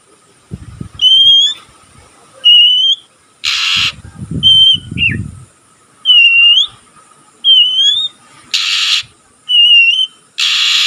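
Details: Young oriental magpie-robin still learning to sing: clear whistled phrases, each a slightly rising note, given about every second, interrupted by several loud hissing bursts of broadband noise.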